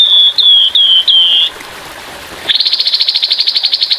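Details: Grey-headed babbler in a training recording with murmuring water: four clear whistled notes, each slightly falling, then after a pause a rapid, pulsed, rattling 'tembakan kasar' trill.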